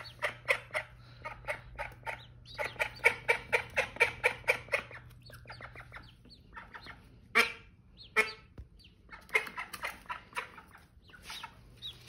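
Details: Mother duck calling to her new ducklings: rapid runs of raspy quacks in quick bursts, then scattered louder single quacks, with a low steady hum underneath.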